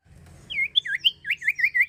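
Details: Common iora singing actively, used as a lure to stimulate other birds to sing: a quick run of about eight bright, slurred whistled notes, each dipping and rising, with a faint low hum beneath.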